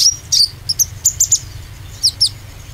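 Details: Brief oriental white-eye song meant to spur green and speckled white-eyes: a handful of very high, sharp chirps and short slurred notes.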